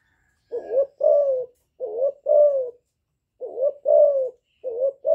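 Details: Young spotted dove, a decoy bird used to provoke wild doves, giving calling coos with bowing coos: soft low hoarse two-part phrases with a rising then falling note, in pairs separated by short pauses.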